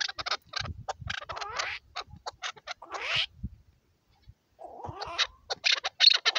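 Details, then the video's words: A decoy (shikari) chukar partridge in an excited state gives a rapid run of harsh, clucking chuck notes, several per second, broken by a brief pause and a few squealing, rising notes. "مست شکاری چکور کا اواز"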